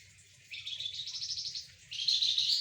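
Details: Golden-bellied gerygone in full voice while sunned among spotted doves and zebra doves; two long high buzzy trills, the second louder and brighter, over a low steady rumble.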